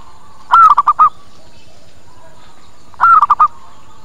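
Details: Zebra dove lure call for drawing in wild doves: two loud cooing phrases about two and a half seconds apart, each a drawn-out wavering coo then three clipped notes.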